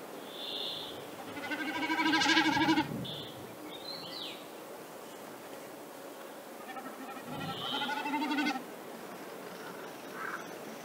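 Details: A Common Snipe in Central Russia gives two quavering, bleating bursts of about a second each, roughly five seconds apart, with short high chirps from other birds between them.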